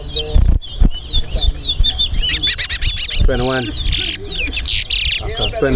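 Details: Towa towa singing in a head-to-head bird race at Alligator Pond; bright, rapid whistled and warbled notes tumble over one another, with people talking and background music underneath.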